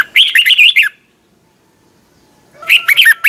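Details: Competition song of a red-whiskered bulbul, twisting-voice style, sung in the morning for training birds: two bright, tumbling phrases of quick warbled whistles, one at the start and another after a silent pause of about two seconds.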